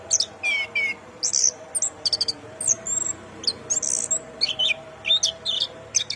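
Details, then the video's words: Orange-headed thrush in lively, full song, delivering rapid high-pitched phrases of trills, slurred whistles and clipped chirps in quick succession with short gaps, a low continuous hum underneath. "ANIS KEMBANG GACOR MEWAH"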